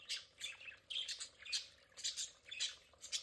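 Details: Pet budgerigars in their play area giving sharp, high squawks and chirps in quick bursts, roughly one each second, over a steady background of soft chatter.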